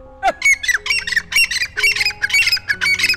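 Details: Grey francolin (Francolinus pondicerianus), a bird kept and bred in Pakistani villages, calling in a rapid run of loud, harsh, grating squawks, about a dozen bursts in three seconds, over a faint steady hum.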